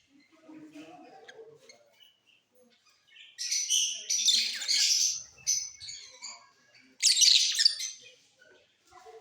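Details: Mutation lovebirds in a flying cage singing during the off season: soft low chatter, then two loud stretches of scratchy, high-pitched chirping and twittering.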